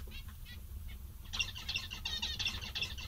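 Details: Happy zebra finches, several birds, with a few sparse nasal beeps for the first second before a rapid burst of overlapping buzzy calls takes over, roughly three per second, above a low hum.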